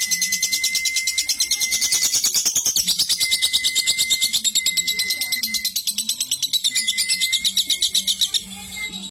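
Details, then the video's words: Cobalt-coloured fighter lovebird giving its long "ngekek" trill: a high, rapid, chattering pulse train of about three beats a second, sustained for some eight seconds, with a steady thin tone running behind. "LOVEBIRD COBALT FIGHTER NGEKEK PANJANG"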